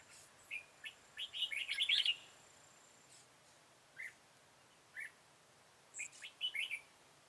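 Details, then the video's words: Red-whiskered bulbul recorded on 13 October 2018 during trapping with a decoy bird. A burst of chattering, warbled notes is followed by single chirps spaced about a second apart, then another short chattering phrase, with faint high ticking throughout. "Bẫy chào mào Hàng Xòe đuôi hết bản"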